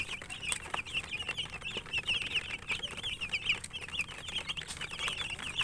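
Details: Young chickens cheeping as they eat, a steady stream of high, sharp chirps from many chicks at once, with soft tapping of beaks on food.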